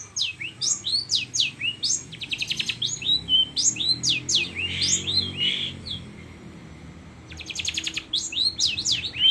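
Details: Long-tailed shrike singing lovebird imitations: rapid slurred whistles sweeping down and up, mixed with fast rattling trills and squeaky chatter, loud and nearly continuous.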